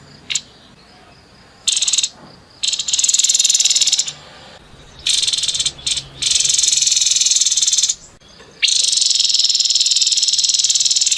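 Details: Harsh 'nembak kasar' song of a grey-headed babbler: long loud rasping rattles of two to three seconds, interrupted by brief pauses and a few clipped bursts.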